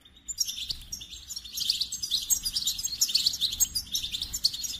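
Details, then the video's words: Goldfinch singing a rapid, tinkling twitter of high bright notes with short trills, flowing almost without pause after a brief quiet start. "Experience the Goldfinch Singing"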